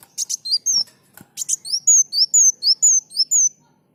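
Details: Olive-backed sunbird, known locally as kolibri muncang, singing energetically in a series of high, sweet whistled notes, each sliding up or down, repeated about twice per second after a few sharp chips at the start.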